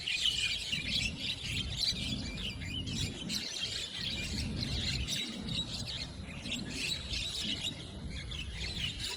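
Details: Several Javan mynas, in a territorial duel that grows into a chasing, flapping gang fight, give harsh, chattering, overlapping aggressive squawks and whistles in a steady din over a low background rumble.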